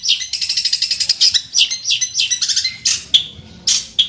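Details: Eager fighting long-tailed shrike singing a mimicry-packed song to provoke an opponent: a fast rattling trill gives way to varied scratchy notes, clear whistles and sharp isolated chips.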